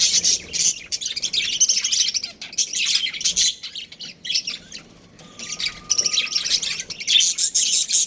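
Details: Budgerigar breeding pair giving rapid, harsh high chirps and squawky chatter in bursts, with a lull around the middle where a faint steady whistle-like tone sounds, then chattering resumes.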